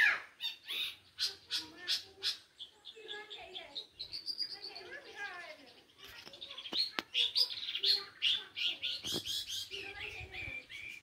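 Long-tailed shrike in a busy, varied song: harsh chattering bursts mixed with high whistled and squeaky notes, delivered in quick, uneven runs.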